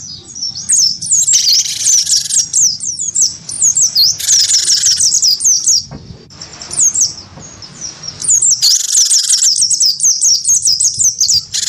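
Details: Wingko cinereous tit in a cage, prompted to answer a white-eye in a singing fight. Dense high twittering phrases of swooping whistles and rasping buzz blocks, broken by a quieter gap midway.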